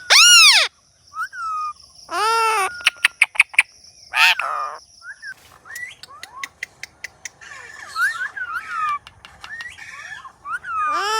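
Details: Indian ringneck parrot in a compilation; loud arched squawks with rich harmonics, a run of sharp clicks, then a series of short rising whistled chirps and more screeches.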